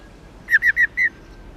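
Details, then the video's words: Four short, clear whistled notes in a quick even series, the last slightly longer, from a female white-cheeked laughingthrush of subspecies lugens used for training males to sing; the background is otherwise quiet. "Khướu Mái Ro Ro Kích Trống Căng Lửa Khướu Bạc Má Mái Ro , Tiếng Chim Khướu Bạc Má Mái"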